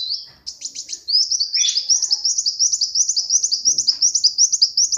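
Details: Hand-reared tame Brown-throated sunbird pours out a continuous high rapid trill of sharp repeated notes, opening with a few stuttered chirps, sustained for several seconds.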